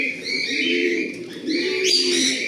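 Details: Pigeons at a large pigeon farm, with many birds cooing together in a wavering low murmur. Higher chirps and a steady bright tone run above the cooing.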